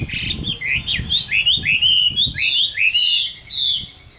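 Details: Adult Chinese hwamei, wild-caught and kept in a cage, singing a loud, continuous song of sliding whistles, rising and falling in quick succession, with a few harsh notes and soft background knocks.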